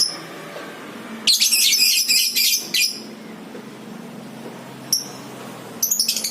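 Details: Ngekek chattering from a lovebird of the Batman or Violet FC type, played to provoke other lovebirds into ngekek. After quiet hum comes a continuous 1.5-second torrent of piercing, rapid chatter, then a lone sharp chirp and a final quick burst.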